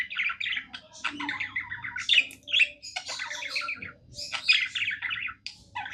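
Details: Happy caged budgie warbling a continuous stream of rapid, scratchy chirps and squeaky clicks, broken into short bursts, over a soft low background hum.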